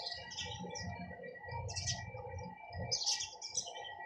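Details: Sparrows giving scattered bright chirps in short bursts, with low thumping and rumbling noises underneath and a steady background tone.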